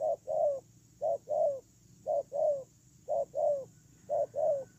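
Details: Ground decoy spotted dove giving a steady series of paired coos, short then long and slightly dropping in pitch, about five phrases at roughly one per second, with a thin high hum throughout.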